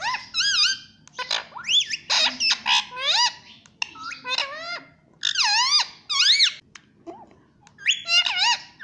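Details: Parrot talking and saying "papa", uttering loud, clear, bending whistle-like syllables that swoop up and down in quick groups, separated by short silences.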